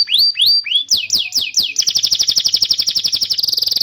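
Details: Canary song used as a training master for young canaries and to prompt silent birds: three downslurred whistles, then quick descending sweeps, then a rapid even trill of clipped notes that speeds into a finer buzzing roll at the end.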